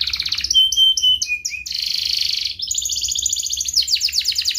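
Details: Singing canary in the ngerek style, used to stir other canaries into song: a trill leads into pure steady whistles, then a harsh buzzing rattle, then a fast high-pitched rolling trill.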